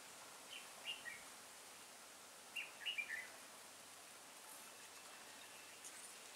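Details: Caged mountain-forest red-whiskered bulbul singing as a trap decoy to draw rival birds, 9 April 2018; two short, faint clusters of rapid warbled whistles separated by a pause, a soft single note later, against a hushed outdoor background.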